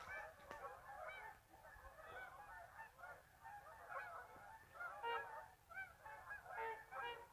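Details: A large flock of geese lifting off from a marsh toward an afternoon feeding ground after resting at midday; dense, layered honking throughout, louder bursts of clear two-part honks toward the end.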